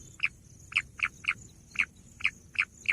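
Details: Sharp, short bush quail notes repeated at uneven intervals of roughly a third to half a second, each clear and bright, over quiet background hiss.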